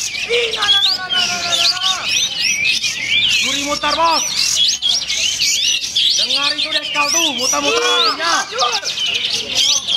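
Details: Bulbuls (kapas tembak) competing in the main class of a songbird contest sing dense, overlapping bright, quick whistles and warbles that rise and fall, several birds at once, with faint voices behind.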